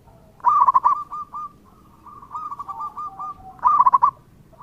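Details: Local zebra dove in lively song, played to draw replies from other doves: two strong trilled coo phrases about three seconds apart, separated by a quieter, bubbling run of coos.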